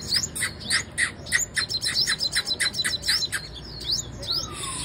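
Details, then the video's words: Female sunbird singing a fast series of sharp, bright chirps with upward-sweeping notes, about four per second, fairly steady throughout, with faint low background hum. "Hút mật 5 màu mái Vip , nghe là hót."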